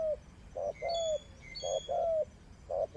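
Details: Close mid-pitched coos from a decoy spotted dove used for trapping: a short note followed by a longer sliding coo, repeated in quick succession, while thin high whistled chirps from other birds sound behind.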